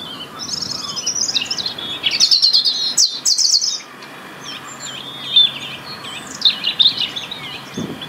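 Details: European robin in the UK singing to keep its winter territory; high, rapid, tinkling phrases with short bursts and sharp ticks, a pause, then more thin warbled notes with a faint low rumble.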